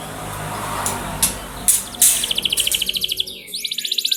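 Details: Canary lure song for training canaries to sing: background hiss and a few clicks, then a quick rattling trill of even notes and a fast buzzy roll at the end.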